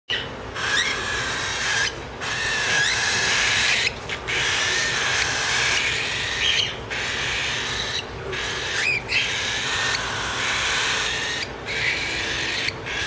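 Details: Four-week-old Cockatiel chicks beg for food with a harsh, continuous rasping hiss broken by brief pauses.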